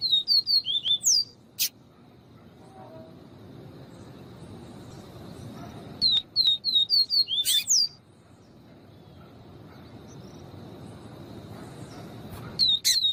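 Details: Papa-capim, the yellow-bellied seedeater, singing 'viviti' while a female calls to stimulate the male. Rapid series of thin, high falling whistles, interrupted by harsh rasping bursts, repeated in three bouts with quiet gaps.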